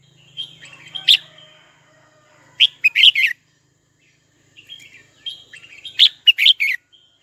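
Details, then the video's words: A red-whiskered bulbul sings to draw a rival: a sharp chirp, then a quick run of three loud, bubbly notes, a pause, and a longer, lively phrase of rapid chirps. "Chào mào gọi bổi tố chất nhất"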